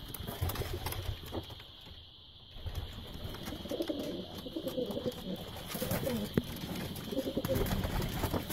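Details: Pigeons for sale murmur in low, bubbling coos, strongest in the latter half after a brief lull, with a steady whine and occasional clicks behind.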